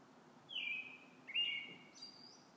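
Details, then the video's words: A robin sings in the evening: two clear, thin whistled notes sliding slightly downward, then a quick high twittered flourish, over a faint background hiss. "Robins evening song"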